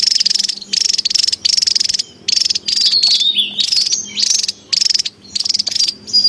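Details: Javan tesia in the wild, noisy lure calls: repeated short buzzy rattles and one longer rattle, with high sweeping whistled notes in the middle stretch.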